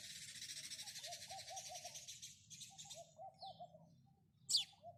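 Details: Chirping of a house sparrow: a long buzzy chatter of rapid high notes fading out, then one sharp chirp, with a low four-note hooting call repeating behind it.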